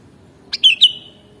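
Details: Kutilang (sooty-headed bulbul) song used for training caged birds. A brief click is followed by two loud, mellow whistled notes that slide down in pitch, with a fading whistled tail.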